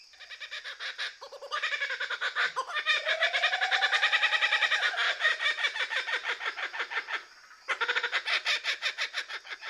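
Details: A Laughing Kookaburra's raucous laugh, used to establish territory among family groups: rapid, rhythmic hoots, about two per second, swelling into loud cackling, then a brief pause before another burst.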